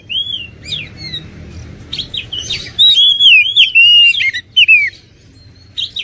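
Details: Whistled song of an oriental magpie-robin, starting with a few quieter slurred notes over light background hiss, then building into strong, clear, wavering whistles before a final short phrase.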